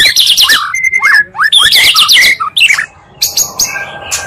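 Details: Oriental magpie-robin lure made from two singers to stir other birds' emotion; quick looping whistles and sharp high chips, harsh notes, then a brief quiet gap before more chirps.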